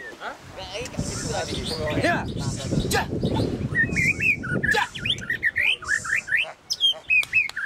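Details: White-rumped shama singing at the Plaza Cup 2015 contest in Semarang, Indonesia: crowd chatter and noise dominate at first, then quick, bright, rising whistled notes repeated several times a second.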